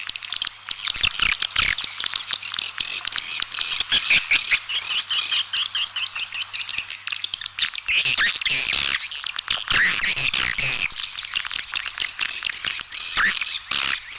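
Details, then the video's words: Long run of swiftlet calling sound used to attract the birds, mixed in stereo and containing roosting calls tested for nesting. Unbroken dense, harsh high twittering with many crisp clicks, slightly thinner around eight seconds. "Suara Panggil Burung Walet"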